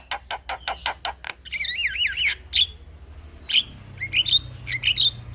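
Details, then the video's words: Male Javan myna singing to lure other mynas: a run of evenly spaced clicks, then wavering warbled whistles and sharp squeaky notes spaced apart. "Pancingan Segala Jenis Burung Jalak Sekali Putar Ocehan Jalak Kebo Jantan Ini Pasti Langsung Respon"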